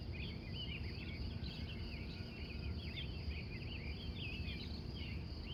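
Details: Wild morning birds singing at dawn in Glendive, Montana, USA, recorded from 3:45 a.m.; many overlapping chirpy, warbling phrases tumble together over a steady high insect-like hum and a low background rumble.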